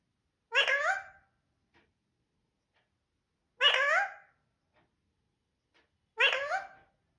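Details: Parrot talking indoors: three brief harsh, nasal word-like calls repeated about every three seconds, each with a quick rising-falling inflection, with quiet between.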